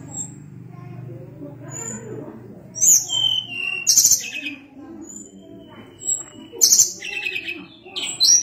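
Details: Tledekan gunung (Sunda blue robin) singing: after a stretch of low murmuring background noise come sharp, very high whistles, sliding notes and buzzy trilled bursts in quick sequence.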